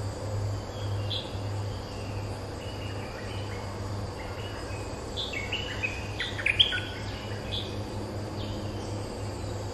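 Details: Streak-eared bulbul defending its territory and answering lure calls: a brief burst of chirps at the start, a quiet stretch, then a livelier cluster of bright, jumpy notes in the second half, over a steady low hum.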